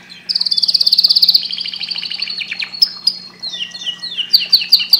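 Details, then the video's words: Canary singing to stimulate breeding, opening with a loud rapid trill of about twenty notes, then descending chirps, brief whistled notes and quick repeated downward slurs at the end. "تغريد طائر #الكناري للتهييج"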